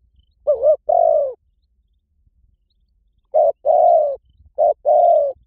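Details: Spotted dove decoy call for luring wild doves: two bursts of low cooing, each a short wavering note followed by a longer, slightly descending coo, separated by a few seconds of quiet background.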